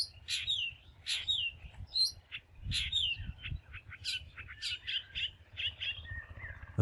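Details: Long-tailed Shrike (Lanius schach), a bird common around homes and open country in Bangladesh, gives a varied run of harsh, scratchy notes mixed with sharp chirps and short whistles over a low background rumble.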